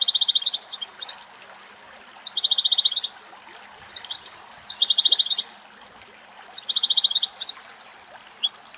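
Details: A female European goldfinch feeding at very close range somewhere in Greek nature gives phrases of fast, tinkling twitters and buzzy trills, repeated about every two seconds, with a faint background hiss.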